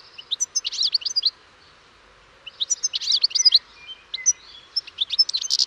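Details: European goldfinch song in separate phrases of quick, high chirps and twittering notes, with a pause of more than a second after the first phrase and a longer, more varied passage following.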